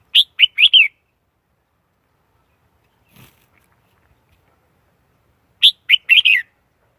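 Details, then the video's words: Lure recording of a Red-whiskered bulbul for trapping wild birds, clean with no background noise: two quick phrases of four sharp, warbling chirps, about five seconds apart, near silence between. "Tiếng chim chào mào mồi dùng đi bấy cực sát bổi"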